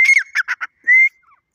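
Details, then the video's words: Irani dakhni teetar, a grey francolin: a loud ringing whistle followed by three short harsh notes, then a clear rising whistled note, in quiet surroundings. "Irani dakhni teetar ki awaz Beautiful voice Beautiful sound"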